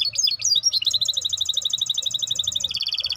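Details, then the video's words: Maestro bird delivering a bright song: a few quick sliding high notes lead into a long, rapid, even trill of clipped notes that drops slightly in pitch near the end. "احلى تغريد مباشر لطائر المايسترو"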